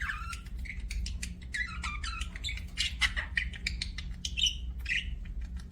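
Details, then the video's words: Budgerigar warbling in a rapid jumble of scratchy clicks, squeaks and short whistles, steady throughout, with a low hum beneath. "BUDGIE CHIRPING SOUNDS"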